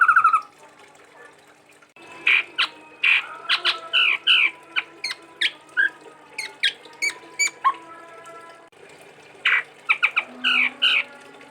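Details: Chestnut-rumped babbler from Sumatra, a lively singer: a quick, varied string of sharp whistles, harsh squawks and downslurred notes, broken by a brief lull before another fast cluster.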